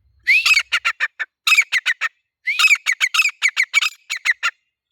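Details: Grey francolin, known locally as teetar, giving loud harsh calls in two bursts, each opening with a rising squeal and running into rapid, evenly repeated grating notes, with a clear pause between bursts.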